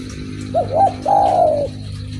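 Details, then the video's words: Lively spotted dove call: a clipped pair of low hooting notes followed by a longer, even, gently falling coo, over constant low droning background hum. "BURUNG DERKUKU MANAPUN PASTI IKUT BUNYI DENGER SUARA INI || SUARA FULL GACOR"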